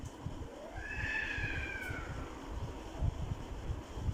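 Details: Alexandrine parakeet producing a single drawn-out, harsh call that slides slowly downward over about a second, against steady low rumbling background noise.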